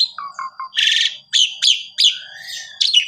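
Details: Asian pied starling, sung as a master for canaries: three short low whistles, a broad harsh rasp, then a series of sharp rising chips and a thin drawn-out whistle.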